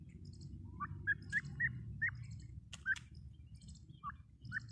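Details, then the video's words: A grey francolin repeats crisp rising whistles, roughly four or five a second in a burst, then a gap and a couple more. Faint low background hum and a few sharp clicks. "Teetar ki awaaz | teetar ki boli | teetar awaz | gray francolin teetar sound"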